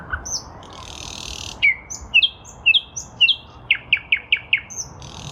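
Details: In spring 2023 a nightingale sings in a lilac bush, a phrase of sharp descending whistled notes repeated about twice a second, quickening into a faster run of emphatic rising notes.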